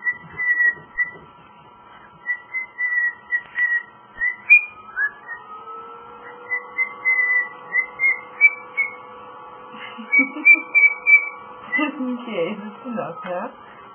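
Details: A pet male cockatiel whistles his own rendition of Jingle Bells: strings of short, clear whistled notes at a fairly steady high pitch, with brief pauses between phrases and a soft low murmur near the end.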